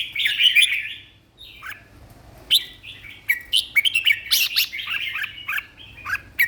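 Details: Red-whiskered bulbul in a cage, a competition singer, giving a warbled opening phrase, a pause, then a dense sequence of sharp chirps and rolling whistled notes.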